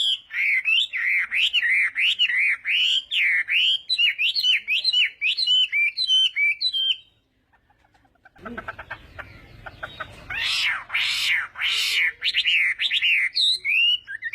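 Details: Chinese hwamei morning song for voice training, a long rapid sequence of repeated looping whistled notes for seven seconds, a brief silence, then harsher rattling noise and fresh bursts of bright whistles.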